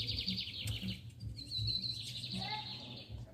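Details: Double-collared seedeater (bigodinho) song, given as set against torneado singers: rapid buzzy trilled phrases held high and steady, then a brief descending run of notes, over a low background hum and murmur.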